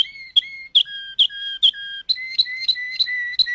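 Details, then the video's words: Waterslager canary song: a few clicked whistles at one pitch, a lower held series, then a quicker run of pure whistles repeated about three times a second. "تغريد كناري المالينوا (الوتر سلاجر)CD Chant canari malinois"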